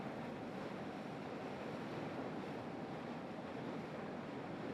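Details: Steady roar of ocean waves and wind buffeting the microphone, with no distinct calls.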